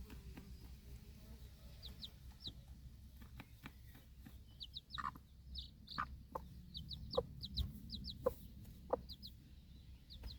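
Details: Broody backyard hen outside with four baby chicks while feeding, watchful after a dog's bark. Short clucks and a few sharper calls mix with many high, thin, falling chick peeps repeated in pairs.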